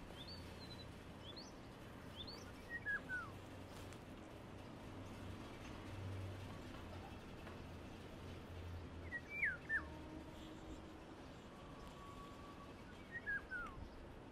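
Indian golden oriole giving short, fluty, liquid phrases that slide downward, spaced several seconds apart.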